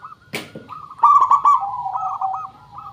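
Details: Local zebra dove, a lure call for other doves: a sharp click, then a rolling, bubbly coo phrase that trails off into a softer, wavering series.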